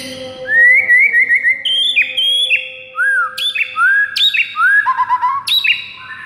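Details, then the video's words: White-rumped shama song used in the morning to get caged birds singing: a lively series of varied whistles with rising slurs, short trills and sharp high clicks that repeat in quick rhythm. "PAGI HARI , 98% Murai bakal ikutan GACOR plus NARUNG seketika dengar MASTERAN ini"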